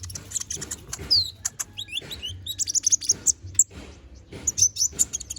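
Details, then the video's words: Energetic konin bird song rich in varied phrases, used to train magpie-robins: dense, very high chips, ticks and short whistled slurs tumbling rapidly and almost continuously. "MASTERAN BURUNG KONIN GACOR NGOBRA FULL ISIAN!"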